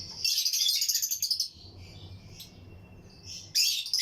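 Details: Lutino lovebirds, breeding pairs in a flight colony aviary: a rapid burst of sharp, high chirps over a steady buzzy twitter for about a second and a half, then a quieter stretch, and a fresh loud chirping burst at the end.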